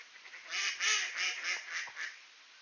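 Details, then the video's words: Ducks greeting at a door in Sainte-Adèle, Quebec, Canada, on a clear 18°C late morning in mid-September; a run of nasal, harmonic quacks in quick bursts, several overlapping calls rising and falling over about two seconds. "Ducks Greeting at the Door"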